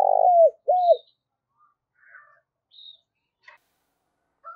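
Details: Spotted dove used as a decoy to draw in wild doves: two low, mellow coo notes, the first longer, followed by faint scattered chirps in near silence.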